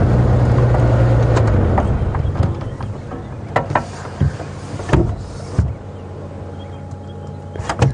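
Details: Engine rumble of a safari vehicle during an afternoon drive at Djuma Game Reserve, with scattered knocks, clicks and door-like thumps and no animal voice.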